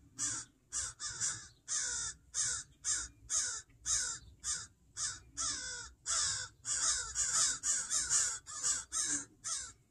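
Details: A pair of crows caws loudly and continuously at a person in a yard among pine trees, protecting their fledgling; harsh rasping caws come in rapid runs, about two per second, with no gaps for other sounds.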